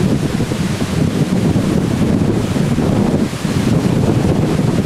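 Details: Loud, constant wind buffeting the microphone, with no animal calls.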